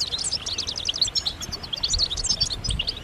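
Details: European goldfinches twittering together in a chorus meant to excite males into song; quick, bright chirps and clear sweet notes packed closely over three seconds.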